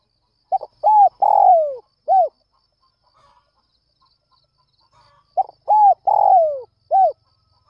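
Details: Spotted dove cooing in the early morning to lure other doves: two full phrases of stuttered notes, arched coos and a long sliding coo, separated by a quiet gap of about three seconds with faint soft sounds.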